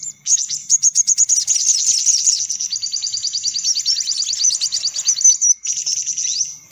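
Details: Sunbird lure call meant to draw sunbirds in: high, thin, rapid chittering trills and buzzy twitters in a busy, nearly unbroken run, with short bursts of repeated sharp notes.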